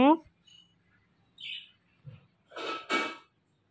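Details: Talking Indian ringneck parakeet: a few soft chirps followed by two loud, raspy, word-like syllables delivered back to back, in a quiet room.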